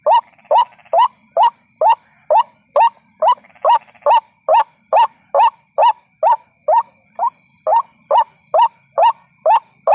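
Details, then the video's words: White-breasted waterhen lure sound used to attract birds: loud, rising croaking notes, about two a second in a steady, monotonous series, over a faint high electronic whine. "WHITE BREASTED WATERHEN SOUND"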